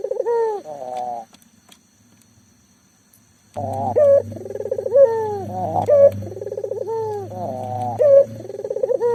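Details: Local Indonesian turtle dove calling persistently, used to prompt silent doves into calling; deep rolling coo phrases, a pause of about two seconds, then more overlapping coos over a loud low droning hum.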